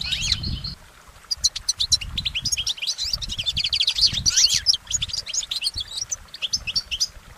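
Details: Wild goldfinch song, long and uninterrupted: a lively jumble of high tweets, quick downslurred notes and short trills poured out rapidly, with a brief lull near the third second and light background rumble.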